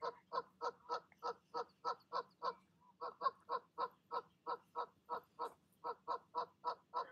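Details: Goose calls while the mother talks her goslings down from the nest in the evening; a long steady run of short nasal honks, about three or four per second, with a brief pause midway.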